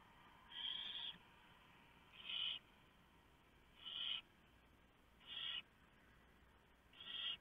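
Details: Barn owl family in a nest box before dawn, 3 November 2015, the male delivering a mouse for the owlets; five short raspy hisses spaced about one and a half seconds apart, fairly faint.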